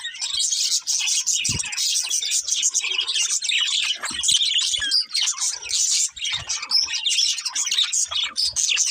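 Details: A pair of budgerigars chirping: dense, continuous high warbling chatter with rapid twitters and squeaks, plus a few brief low thumps in the background.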